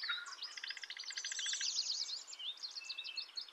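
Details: Indigo bunting voice over constant hiss: a rapid train of short high notes overlapping a brighter, jumbled warble, then scattered thin whistles.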